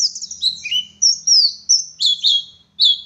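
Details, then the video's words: Oriental white-eye, local West Javan bird, giving sweet high whistles, some slurred and drawn out, others sharp and clipped, separated by short gaps, with a soft low hum behind. "Burung Pleci Gacor Ngalas Wit Wit Sambung Ngeriwik Full Isian"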